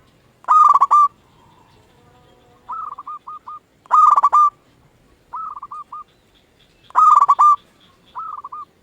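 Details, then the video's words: Local Indonesian zebra dove singing to coax other doves into replying: three loud, rough stuttered coos about three seconds apart, each followed by softer short trilled phrases. "Perkutut lokal gacor RAJA PIKAT ahlinya bikin semua burung perkutut gacor pada nyaut"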